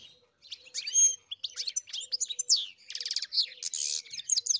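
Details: European goldfinch on a farm singing a fast, jumbled song of high chirps, tinkling notes and buzzy rattles, with short sharp whistles and dense trills running almost without pause.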